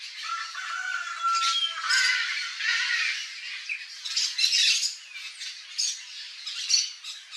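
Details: Harsh grating squawks from wild Yellow-faced Parrots, an endemic Brazilian species seen visiting a backyard in Cerrado habitat, come in irregular clusters, with a few thin whistled tones mixed in early on.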